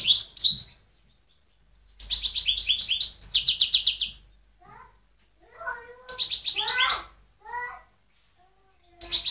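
A European goldfinch sings bursts of rapid, high, tinkling twitters broken by lower liquid slurred notes, with short pauses between phrases.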